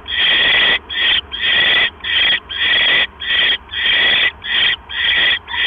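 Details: Owl at its nest on 12 October 2015 at 9:40 PM, as a mouse is brought in; harsh, broadband hissing screeches of about half a second each, repeated in a fast, slightly uneven series roughly every 0.6 seconds.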